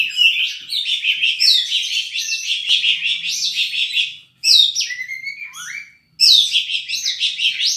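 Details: Oriental magpie-robin singing at full intensity to stir up other magpie-robins; long rich outpouring of rapid warbled and chattered notes, then short whistled phrases including a downward slur, broken by two brief silences.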